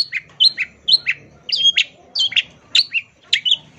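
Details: Long-tailed shrike singing, master recording for training songbirds: paired, slurred whistle notes dropping in pitch, repeated in small clusters about every half second, with a faint low hum behind.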